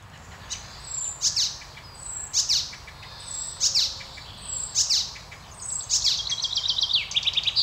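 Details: An Icterine warbler in Norway sings high, varied phrases of sharp chirps, downslurred whistles and rapid repeated notes in quick bursts about every second, ending in a fast chattering run.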